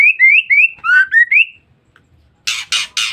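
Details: Female white-rumped shama calling to lure or provoke males: a string of clear, rising whistled notes, then three harsh, rasping buzzes in quick succession.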